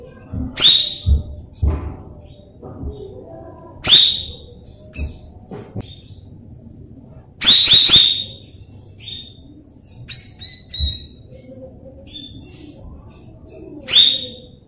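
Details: Lure song of a cucak rawis for young untrained birds, heard as scattered bursts of loud, crisp whistles, some in rapid runs of three, separated by quieter gaps and a faint low hum.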